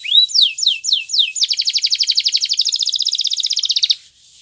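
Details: Russian canary song opening with four slow descending whistled sweeps, then breaking into a rapid, even rattling trill of about forty notes before stopping abruptly.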